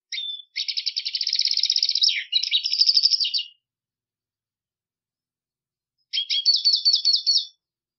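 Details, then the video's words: Black siskin (Spinus atratus) giving long buzzy trills of rapidly repeated notes, one lasting about three seconds, then a shorter buzzy trill after a long silence. "Negrillo Boliviano! Llamado! Sonido! Cantando! - Black Siskin Song"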